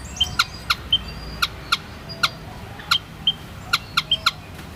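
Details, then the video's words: White-headed munia giving short, thin, high whistled notes at irregular intervals. Sharp dry clicks are interspersed throughout, over a quiet background. "MAYA / WHITE HEADED MUNIA SOUND EFFECT"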